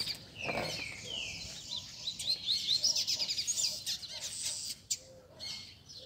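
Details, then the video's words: Several caged double-collared seedeaters (coleiros) sing together at a Sunday keepers' gathering to warm up a competition bird: high, fast twittering with a run of rapid repeated sharp notes and scattered slurred whistles. "BADERNA de Coleiros TOP - Ótimo para esquentar seu Coleiro de Roda!!!"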